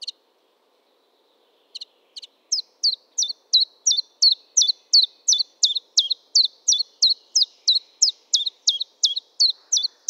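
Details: Common chiffchaff starting its song with a couple of quiet, hesitant notes, then breaking into a long, regular chain of about twenty high, slurred chips at roughly three per second. No background noise.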